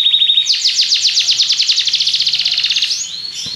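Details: Singing Belgian canary delivering a brief high trill, then a rapid run of repeated descending notes about four per second, ending in softer high whistled notes.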